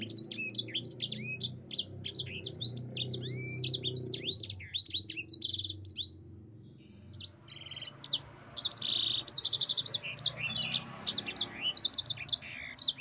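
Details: Yellow-fronted canary giving a long run of high, fast chirps and downward-sweeping whistles, then a brief lull, then renewed bursts of rapid rolled trills and buzzy notes.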